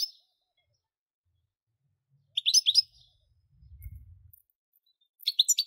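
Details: European goldfinch giving short bursts of high, rapid twittering notes spaced a few seconds apart, with a soft low rumbling noise between phrases.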